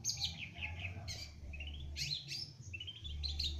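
Young Long-tailed Shrike in early song: scratchy high chirps and quick runs of short, rising notes, over a steady low hum.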